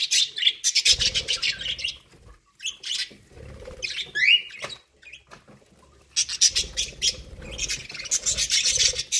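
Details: Pet budgerigars eating corn give busy bursts of harsh, scratchy chirps and warbles, separated by short pauses, with soft pecking and rustling underneath.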